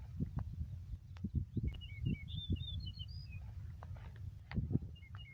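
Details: On a Yakutsk meadow on 4 June 2020, a yellow-breasted bunting sings one clear whistled phrase of rising notes; dull low thumps and a steady rumble sit beneath it.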